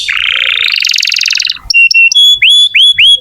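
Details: Vigorously singing canary, used to prompt young or silent canaries to sing: a dense buzzy roll for about one and a half seconds, then clear pure whistled notes and repeated upswept whistles.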